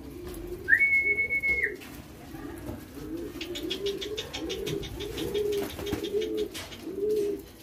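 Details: Young homing pigeons being hand-fed indoors while being trained to a whistle: a short human whistle, then a run of low, rounded, arching calls repeated roughly every 0.7 seconds, with light clicks and rustling between.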